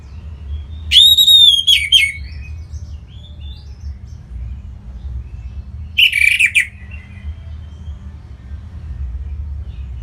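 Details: Caged Orange-headed thrush from Singaraja, North Bali, played to get other birds singing. A bright whistled opening with a held note gives way to silence and then a brief burst of scratchy chirps, with a low hum underneath.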